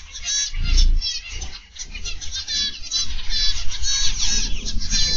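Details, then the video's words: Many zebra finches in an aviary, live-streamed on the afternoon of 31 August 2021, chatter in a dense stream of high, nasal, toy-trumpet beeps and chirps over a steady low rumble with occasional thumps. "Zebra Finch Aviary Live"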